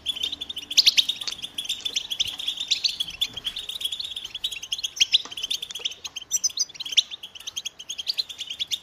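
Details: European goldfinch (Carduelis carduelis) singing: a dense, continuous high twittering of quick chirps and buzzy trills, with brighter louder bursts near the start and again around the seventh second, over a quiet background.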